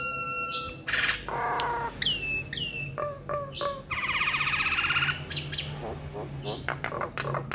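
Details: Nias hill myna singing a mix of clear downslurred whistles, nasal buzzy notes and a rolling trilled phrase, with short pauses between phrases over steady low background hum.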